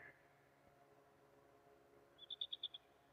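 An African crowned eagle gives a quick burst of about six high, piping whistled notes, evenly spaced and fading at the end, over faint background hiss.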